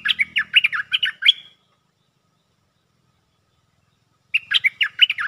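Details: Lure song of a caged stripe-throated bulbul: a lively phrase of rapid, liquid warbling notes, nearly three seconds of silence, then another similar bubbly phrase.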